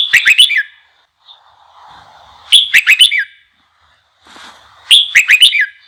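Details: Red-whiskered bulbul song used to stimulate other bulbuls to sing: three short bursts of sharp, warbling notes roughly every two and a half seconds, each a quick cluster of bright whistled chirps, with faint lower chatter between phrases.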